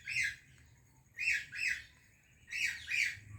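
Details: Indian parrot greets a Pakistani parrot: a single squawk, then two separated pairs of loud, raspy squawks over a soft low background hum.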